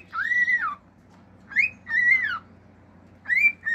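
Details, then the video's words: Male cockatiel singing at home as a pet, with imitated wolf-whistle style phrases: long arched whistles rising then falling, separated by pauses, with short upward slurs between them. "CALOPSITA MACHO CANTANDO CANTOS NATURAIS, FIU-FIU, ESTALINHOS ENTRE OUTROS"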